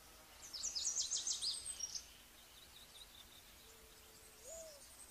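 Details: Olive-backed pipit giving a rapid, high, thin trill of zig-zag notes for about one and a half seconds, followed by a single low, soft hoot-like note with a rising end.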